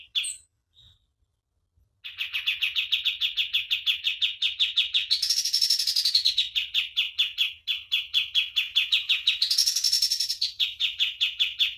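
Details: Pied triller singing energetically as a training master: after a brief pause, a fast run of buzzy chips about three per second, twice swelling into higher, brighter rising trills before settling back.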